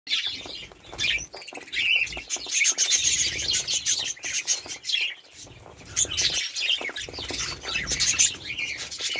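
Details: Budgerigars in a group, dense high chirping and warbling chatter overlapping throughout, with bursts of squeaky notes and soft wing flutters.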